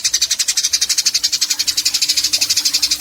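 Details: Eurasian tree sparrow giving a long, fast chattering 'nyecret panjang' song, recorded in Yogyakarta on 29 October 2022 as a training recording for caged birds: high, buzzy pulses repeated about ten times a second without a break, with faint low background noise.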